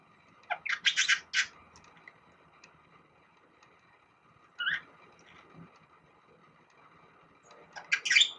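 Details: Pet budgerigar, six years old, kept indoors and known for singing and copying bulbul calls. A few harsh, broadband squawks and chirps come in three separated bursts, with quiet between them.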